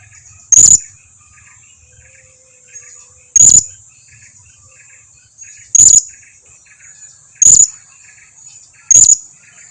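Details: Blue-crowned hanging parrot lure call to draw answers from other birds: single piercing high chips repeated every two to three seconds, five in all.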